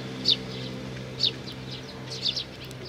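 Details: Sparrow chicks visiting with their parents on 11 May 2019; three short, high, thin chirps spaced about one second apart over a steady low background hum.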